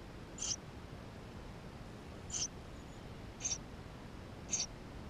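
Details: Eurasian tree sparrow chicks calling from within the nest, GoPro recording, 28 May 2016: four short sharp high peeps roughly one second apart, otherwise only soft background hiss.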